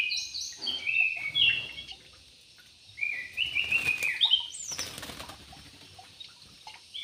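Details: Yellow-vented bulbul in an aviary singing quick, liquid warbled phrases, interrupted by loud bursts of wing flapping and a sharp rising note.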